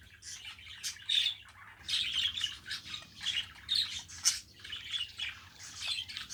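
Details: Budgerigar kept as a pet producing squawky, buzzy chatter: quick rasping chirps in irregular bursts, some sharp squeaks standing out, over a soft low background hum.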